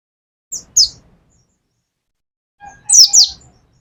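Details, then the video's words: Caged mountain white-eye of the Pacitan type in a 'nembak' shooting song: two short pairs of high, steeply falling whistled notes, the first pair near the start and a louder second pair after a pause of about two seconds. "pleci pacitan nembak nembak pleci dakun"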